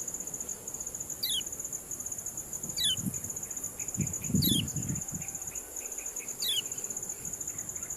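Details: Kecial kuning ciak calls played as tutor material for competition birds: four bright, falling whistled notes roughly every one and a half seconds, with quieter chirping, a continuous high-pitched ringing and low rumbling noise underneath.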